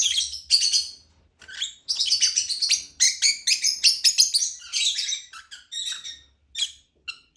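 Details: Shrill lovebird chirping, nearly continuous rapid chattering notes in quick succession, softening into a few isolated chirps at the close.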